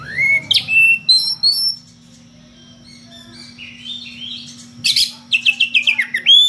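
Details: Kacer ngeplong magpie-robin challenging a rival with odd variations: a rising whistle and clear descending slurs, a quiet gap, then fast buzzy scratchy notes and a burst of rapid chattering, ending on a rising whistle; constant faint hum behind.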